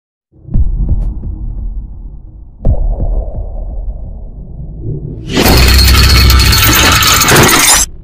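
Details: Dull thumps and rumbling knocks build up, then give way to a loud, harsh, crackling burst of broadband noise lasting almost three seconds, with no animal voice heard.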